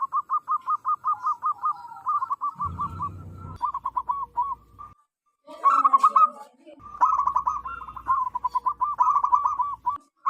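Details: Zebra dove of local wild stock, singing loudly as a lure for wild birds: long trains of fast, ringing coos broken by a brief pause and a rougher warbled phrase, with a low hum in parts.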